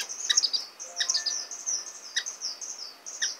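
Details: Orange-cheeked waxbill (Estrilda melpoda) chicks beg for food while being fed, giving a thin, very high, continuous wheezy chatter broken by sharp chips about every second.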